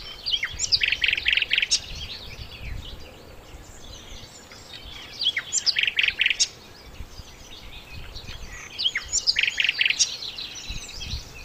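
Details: Verditer flycatcher (sikatan londo) singing energetically, used as a tutor recording for training songbirds: bursts of high twittering phrases with quick buzzy trills, repeated about every four seconds over a faint low background hiss.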